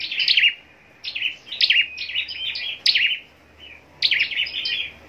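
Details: Contest-singing scarlet-backed flowerpecker: quick bursts of piercing, high sliding chirps and twitters, about four phrases spaced a second apart with brief silences between.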